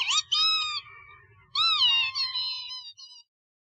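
Northern lapwing giving two wheezy, cat-like calls about a second and a half apart. Each swoops up briefly, then slurs down and trails off, over a faint low rumble.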